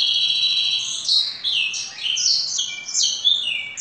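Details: A domestic canary trained to carry a full blackthroat song sings loudly and close by in a quick, varied stream of high whistled slurs, trills and falling sweeps with no pauses.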